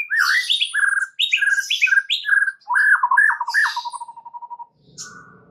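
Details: White-rumped shama song used as a lure to draw other shamas into full, varied singing: rich whistled phrases swooping up and down, then a fast even trill of about a dozen notes that fades out, followed by a brief faint chirp.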